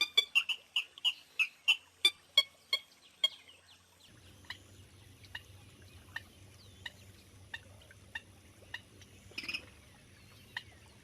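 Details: Purple gallinule giving a loud, rapid string of sharp, high clipped notes, about four per second for four seconds. Fainter scattered notes follow over a steady low hum.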